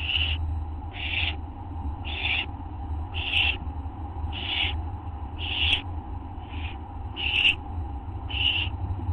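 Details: Owls at night on a live nest camera, August 24 2011 at 11:04 PM, growing bolder: short harsh hissing bursts repeated about once a second, nine in a row, over a steady low hum.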